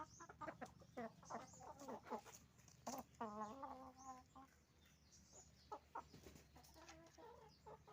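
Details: Chicken farm with roosters and hens calling together: dense rapid clucking, a drawn-out wavering squawk near the middle, and many overlapping short harsh notes throughout.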